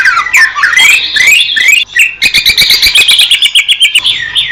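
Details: Greater green leafbird song recorded in the wild in Indonesia: rich swooping whistles give way to a fast series of sharp clicking chips, about three per second, under a continuous high warble.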